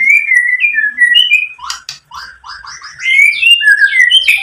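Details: Song of a white-rumped shama, used as a lure to stir rival shamas to sing: loud clear whistles sliding down and up, then a stretch of quick chattering, scratchy notes, followed by more bright whistled phrases.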